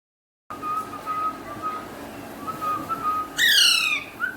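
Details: Alexandrine parakeet, its natural voice, in a pet-talking setting with Urdu/Hindi words. A steady whistled tone is held and repeated, then ends in a sudden harsh, buzzy squawk with a brief whistle after it. There is a low room hum throughout.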